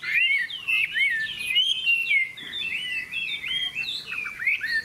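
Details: Caged Hwamei in a singing contest, pouring out a long unbroken run of clear whistled phrases, swooping up and down, varied and energetic throughout.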